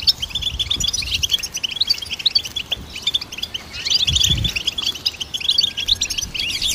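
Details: Goldfinches in full song, a busy high-pitched jumble of tinkling twitters and short trills running continuously, with a few soft low thuds in the background.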